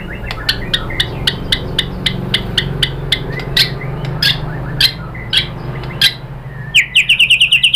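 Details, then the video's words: White-rumped shama (murai batu) lure recording from Indonesia, aimed at getting shamas to respond. Sharp clicking notes repeat about twice a second over a steady low hum, ending in a fast, bright trill. "pancingan MURAI BATU BIKIN EMOSI NYAUT GACOR BONGKAR MATERI ¦ PANCINGAN MURAI ¦ SHAMA BIRD"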